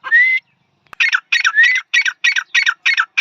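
A grey francolin opens with a rising whistled note, then gives a fast run of loud, harsh, squawky notes, about three per second, in a quiet setting.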